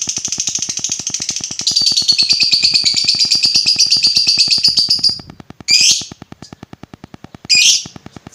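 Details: Lovebird sound to provoke other lovebirds: a fast buzzy trill lasting about five seconds, louder midway, followed by two separate harsh squawks, with faint regular ticking throughout.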